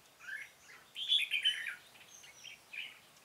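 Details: Red-whiskered bulbul singing during decoy trapping on 13 March 2017: scattered chirps building to a louder burst of warbled whistles, then softer notes, over steady background hiss.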